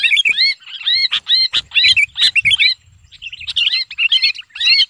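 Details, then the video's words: Sooty-headed bulbul lure call, described as a bulbul screaming while held, gives quick, bubbly whistled phrases of rising and falling notes in rapid bursts with short pauses, with a few sharp clicks between. "suara pikat kutilang paling ampuh"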